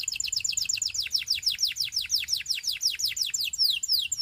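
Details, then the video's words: Canary singing for training practice: a fast, steady trill of sharp, high, downward-slurred chirps, about seven per second, holding the same note shape across the whole stretch and slightly accelerating near the end. "Canary Singing Practice Video"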